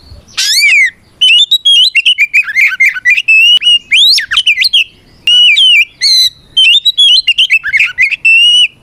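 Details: A steady, loud Oriental magpie-robin fighting song aimed at provoking other birds: quick runs of sweet whistles, upslurs and rasping notes in phrases of a second or two.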